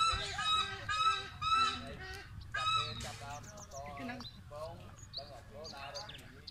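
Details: Loud, coarse honking barks from a wreathed hornbill at Tamao Mountain Wildlife Rescue Center, Cambodia, strongest early then fading into softer, scattered calls.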